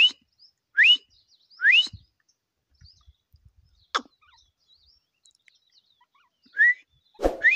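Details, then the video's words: Sharp, rising whistled notes of a grey francolin come in a short run at the start, fall silent amid faint clicks and ticks, then return as two more notes near the end. "Teetar awaz | teetar sounds"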